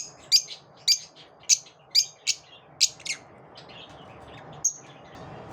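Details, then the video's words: Lovebirds after dawn giving sharp, high chirps about every half second, then a pause and one last chirp, with a faint low hum in the background. "Love birds after dawn"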